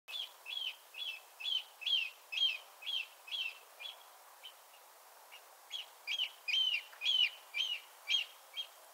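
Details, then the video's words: At night, an oystercatcher gives loud, shrill piping notes, about two a second, in two bursts separated by a brief pause, over a faint background hiss. "Oystercatcher - Night-time"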